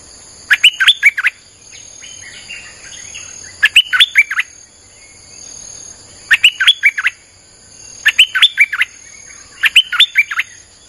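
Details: Streak-eared bulbul delivering its song nonstop as a wild-bird lure: five bubbly phrases of five or six rapid chirps each, roughly every two seconds, with faint buzzing between them.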